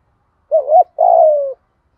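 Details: Decoy spotted dove cooing in 'thúc gù' style for training newly caught or long-kept silent birds: one phrase, a quick warbling note followed by a long even coo that drops at the end.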